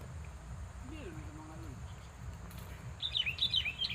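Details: A sooty-headed bulbul in a rice field gives a quick burst of bright, bubbly chirps near the end, over a steady low rumble and a brief low sliding tone.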